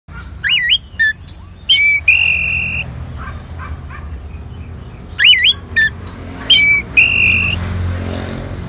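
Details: Orange-headed thrush answering a lure sound: two bursts of loud, varied whistled phrases with sweeping, slurred notes and a held flat tone, separated by a few seconds of quiet with low background hum.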